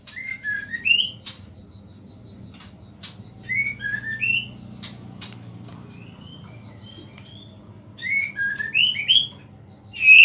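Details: White-rumped shama in full song, its voice said to provoke other shamas and laced with small-bird phrases: rapid high buzzy pulse trains alternate with short upslurred whistled notes, with a low steady hum beneath.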